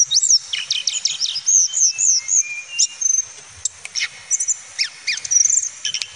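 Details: A male Tledekan Gunung flycatcher sings high, fast whistled notes, steep downward slurs and short trills, delivered in clustered bursts with brief pauses.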